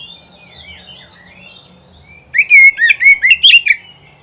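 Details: Oriental magpie-robin, or kacer, song for training caged birds: quiet, thin warbling at first, then a sudden loud run of about seven sharp, bright whistled notes jumping up and down in pitch.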